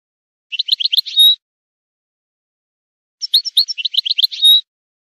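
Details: Song of a European goldfinch, offered to breeders to train singing and stimulate mating: two separate bursts of quick, bright twittering, each ending in a sustained clear whistled note, with a silent gap of about two seconds between.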